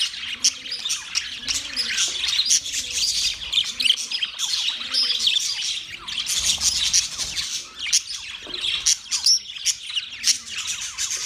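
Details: A group of budgerigars chatters continuously, mixing quick high chirps, warbles and harsh squawks, with soft low cooing notes repeating roughly every second early on.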